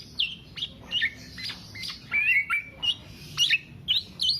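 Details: Song of a black-naped oriole, offered as a lure or master recording for songbird keepers: harsh squawky notes alternating with short whistled slurs, given in spaced bursts about every half second.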